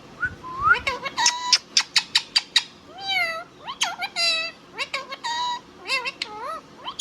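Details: Indian ringneck parrot talking indoors: fast runs of clipped speech-like syllables and rasping staccato notes, with bending harmonic phrases that sound almost like meowing.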